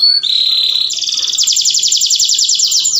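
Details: Canary singing its mating song, used to stimulate other canaries: a pure high tone shifting into a buzzy trill, then a fast even rattle of repeated notes.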